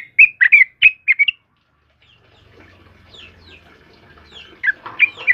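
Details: Energetic yellow-vented bulbul song for training cage birds: a fast burst of six loud bubbly chirps, a quiet stretch with faint thin whistles and low hum, then more chirping notes at the end.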